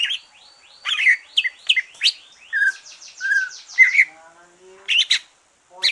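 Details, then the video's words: Green leafbird singing after its moult to stimulate other birds: a fast series of falling whistled notes, high buzzy strokes and warbled slurs, with a short silence before a final sharp chirp. "Kicau santai cucak ijo,,rangsangan cucak ijo selesai nyulam"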